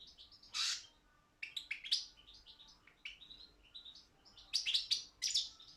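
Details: Balkan goldfinch, Carduelis carduelis balcanica, recorded for an internet world song competition organised in Serbia: a buzzy burst, then spaced tinkling and twittering notes, with louder harsh chattering near the end.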